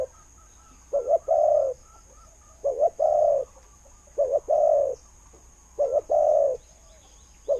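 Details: Good-voiced spotted dove decoy calling in the khu-ang style that attracts wild doves. Low coos recur every one and a half seconds or so. Each pairs a quick double note with a longer rounded coo, over light background hiss.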